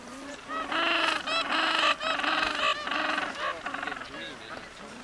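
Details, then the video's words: Noisy penguins at Brown Bluff giving loud braying, honking calls in rapid overlapping bursts, harsh and nasal with arching tones, a dense chorus of many birds calling at once. "Noisy Penguins on Brown Bluff"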